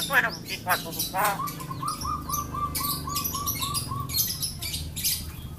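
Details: A yellow-eyed Javan myna mimics human speech, giving harsh chirps and clicks, then evenly repeated mid-pitched notes imitating words like "assalamualaikum", "piro" and "pulsa", plus a cough.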